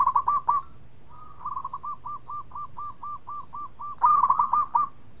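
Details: Locally bred zebra dove calling keenly in bekur style, meant to coax other doves to reply. Quick bursts of soft, rounded coo notes open and close the clip, with a quieter, evenly spaced run of coos between them.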